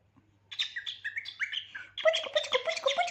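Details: Pet cockatiel giving a string of stepped whistled chirps that climb then drop, followed by fast harsh chattering squawks repeated about three times a second; quiet indoor setting.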